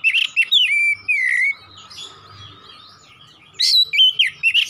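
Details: Oriental magpie-robin singing 'nembak': slurred descending whistles and a drawn-out note, then a pause and a fresh burst of sharp, varied whistles over a faint hum.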